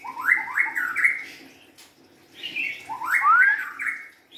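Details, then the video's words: White-rumped shama, a young forest-caught bird, giving two short bursts of quick rising whistled notes separated by a second of near silence. "kicauan murai batu"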